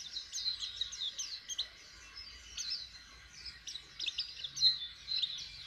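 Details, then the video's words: Fainter high twittering from a white-eye learning to open its beak and sing, a continuous chatter of thin chirps rising and fading in bursts. "Pleci jhonshon belajaran buka paruh asiik"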